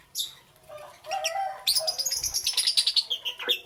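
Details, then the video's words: Lovebird chatter in the morning, opening with a few thin squeaks, then a fast rattling series of bright, harsh chirps about three per second, ending in a downward squeak. "Lovebirds Chirping Sounds"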